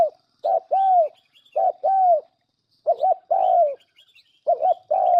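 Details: Lure call of a spotted dove used for trapping birds: low cooing phrases of one or two clipped notes followed by a longer, gently falling coo, repeated irregularly, with faint thin chirps above.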